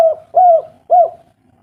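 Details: Two short, arched coos about half a second apart from a local spotted dove, played as a lure to prompt lazy birds into calling; clean and clear with no other sounds.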